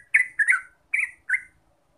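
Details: Yellow-vented bulbul lure song: four short, throaty, bubbly notes in two quick groups, the second pair after a brief pause, with a faint low hum in the background.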